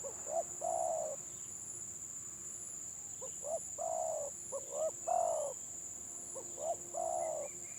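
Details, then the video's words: Stuttering ('gagap') style song of village spotted doves matched against each other at Gelang Patah: clipped stammering lead notes, then drawn-out mellow coos, several phrases with pauses between, and a constant high-pitched hum behind. "BURUNG TEKUKUR GAGAP VS GAGAP"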